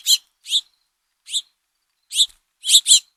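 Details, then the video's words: Begging from house finch fledglings being fed by their father, captured on a trail camera: scratchy, high-pitched chirps spaced irregularly, ending with a quick double note. "House Finch Calls - Father Finch Feeds Fledglings"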